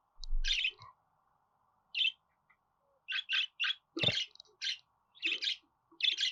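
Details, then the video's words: Budgerigar calling with short buzzy chirps, one at first, then a steady run of clustered bursts from three seconds on, with a faint low hum beneath. "Muhabbet Kuşu Ötme Garantili Kuş Sesi,Muhabbet Kuşu Sesi"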